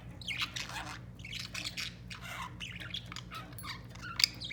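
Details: Kept white budgerigar chattering continuously: scratchy, squawky warbled notes and buzzy fragments tumbling one after another, ending in a sharp click-like note, steady low hum beneath.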